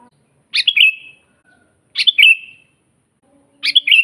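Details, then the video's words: Sooty-headed bulbul in full natural song, a master recording for training silent birds: three crisp bubbly phrases of quick notes sliding down into a drawn-out fading whistle, separated by clean pauses of over a second. "suara burung kutilang GACOR asli"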